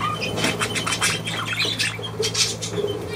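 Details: Short burst of budgerigar chatter, scratchy clicks and squeaks in a fast uneven string, with a steady low hum behind.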